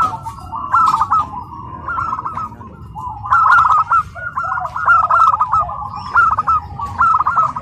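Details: Tame zebra dove, a local bird raised at home, performing at its first contest in Karawang, Indonesia: a series of bubbling, stuttered coo phrases that grow denser midway, over crowd hum.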